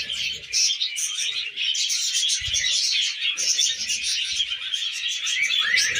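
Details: Several pet budgies feeding on millet produce dense, loud twittering and scratchy warbles without pause, plus a soft thump and light rustling.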